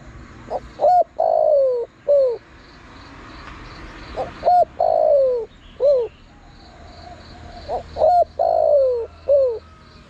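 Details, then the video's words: Spotted dove cooing for luring wild birds to a decoy: three evenly spaced phrases, each a quick pair of short coos, a long downward-gliding croo and a brief falling note, with a thin steady buzz in the background. "Chim cu gáy gọi hay kích bổi nhanh nổi"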